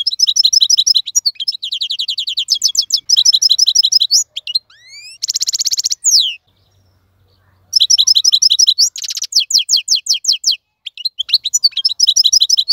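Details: European goldfinch, wild-caught and caged, delivering nearly continuous song: dense high twittering and rapid tinkling trills, a harsh buzzy burst midway, a brief silence, then more rolling chattering phrases.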